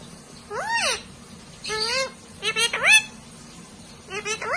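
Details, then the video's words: Parrots talking to each other in a humanlike way: four separate bursts of harmonic, speech-like syllables. Some arch up then down, others rise steeply in quick clusters. Spaced roughly a second apart in a quiet indoor setting. "Parrots incredibly talk to each other like humans"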